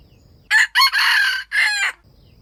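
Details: Wild junglefowl near a baited trap, crowing in competition with other wild chickens: one loud, harsh crow broken into four strained segments over about one and a half seconds, the third long and even, with quiet surroundings before and after.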